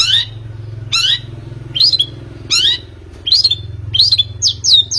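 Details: Long-tailed shrike played as a lure to make a bird sing: rough, scratchy descending notes repeated roughly every second, ending in a few clearer whistled slurs, with steady low background hum.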